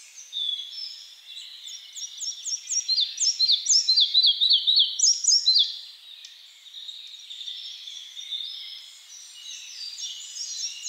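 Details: Song of a red-breasted flycatcher: a long run of quick, regularly repeated, bright slurred notes, loud for about five seconds, then softer continuing twitters as other small birds chirp high in the background.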